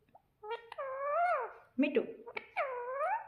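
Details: A pet green parrot, tagged as a ringneck, talks in high, nasal, speech-like phrases, apparently "mummy" and "papa": two drawn-out words with rising and falling pitch separated by a short squawky burst.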